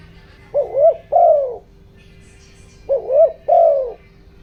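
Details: Spotted dove used as a decoy, calling with the 'giọng đồng' voice to draw wild doves; two phrases of three hollow coos, the last note longest and falling, separated by a gap of about two seconds.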